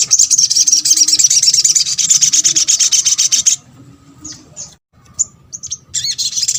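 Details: Little spiderhunter calling to stir other spiderhunters into responding: an intense, rasping, very fast high trill for over three seconds, a pause with a few short chips, then the dense trill starts again.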